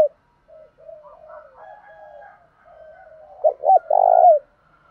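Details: Spotted dove cooing in the Thổ đồng voice style, used to provoke rivals into fighting and lure wild doves. Soft, wavering low coos give way to two short hard notes and a loud, long, buzzy coo.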